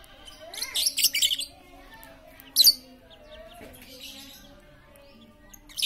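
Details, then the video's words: Lure recording of a highly talkative lovebird meant to prompt quiet birds to sing: a rapid cluster of raspy, piercing chirps, one sharp squeak a second later, then scattered faint chatter against a steady low drone. "Pancingan Lovebird super cerewet untuk memancing Lovebird diam jadi fikter"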